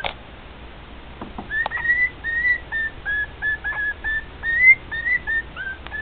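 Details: Male pet cockatiel singing to two other cockatiels: drawn-out whistled notes, some rising and some flat, a few slurred upward, with a few sharp clicks early on.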